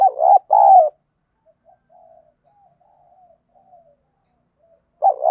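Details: Spotted dove lure song meant to provoke fighting: a pair of strong low coos, then several faint, soft notes trailing on, and a new loud coo starting at the end.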